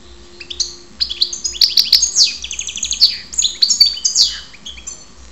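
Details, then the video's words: Goldfinch, called karderina, from Ptolemaida in Greece, delivering a dense run of liquid twitters, quick slurred notes and tinkling high trills, continuous for about four seconds over a soft rhythmic low hum. "karderina Goldfinch"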